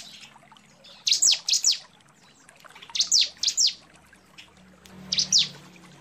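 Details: A female bar-winged prinia calls for a male, giving three separate groups of two or three high, sharp, falling chirps with quiet gaps between them.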